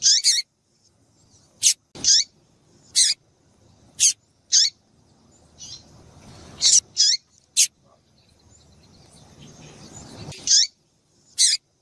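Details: Female variable seedeater call used to stimulate males: short, sharp, high chips repeated at uneven intervals, each a brief burst, with low background hiss between notes.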